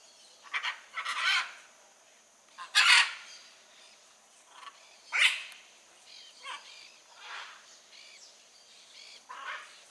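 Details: Blue-and-yellow macaws in the wild give scratchy, explosive screeches, a few loud sharp cries among softer rasping calls, irregularly spaced.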